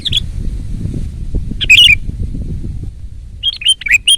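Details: Sooty-headed bulbul singing loudly and energetically. It gives a brief burst of sharp whistled notes, then after a pause a quick run of bright, clipped whistles rising and falling, over a steady low rumbling noise.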